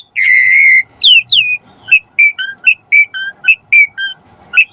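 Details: Asian pied starling song from a recording used to trigger starlings to sing: a long steady whistle, two falling slurs, then short whistled notes alternating high and low about every third of a second.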